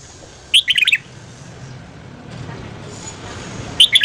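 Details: Red-whiskered bulbul morning song for voice training: one quick phrase of five or six bright, slurred whistles, a long quiet stretch, then a new phrase beginning at the close.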